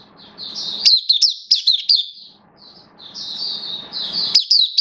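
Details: Caged oriental white-eye kept as a hobby songbird, recorded 11 September 2022 with its form slightly dipped, giving rapid high thin twittering phrases of sliding whistled notes over a soft low room hum, with a brief pause midway.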